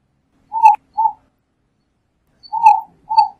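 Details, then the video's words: Eared dove song in two bouts, each a quick pair of brief mellow coos, the first note longer than the second. "Paloma Torcaza Canto - Eared Dove Bird Song"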